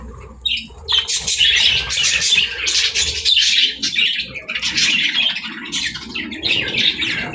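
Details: Pet parrot during its morning routine, uttering repeated bright chirps and short raspy squawks in rapid bursts over a faint low background hum.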